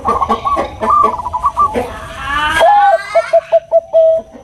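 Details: Bangkok-type zebra dove, female calling the male with nutut sounds; a burst of staccato cooing notes, then a noisy laugh-like sound, then clear short coos repeated in a steady series.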